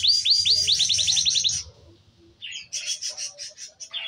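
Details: Canary song opening with a quick series of sharply falling high whistled notes, a brief pause, then a rapid run of buzzy, pulsed chirps.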